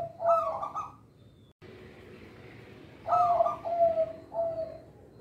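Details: Perkutut, the local zebra dove, coos a training song for untrained birds: a short rolling phrase, a pause, then a longer sequence of three or four soft, low, bubbling coos.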